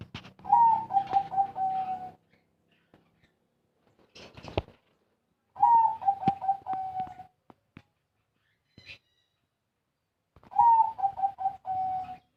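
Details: High small-voiced zebra dove, Bayo, Yala province, Thailand: three identical phrases of rapid stuttered coos trailing into a sustained note, repeated roughly every five seconds with quiet gaps and occasional clicks between.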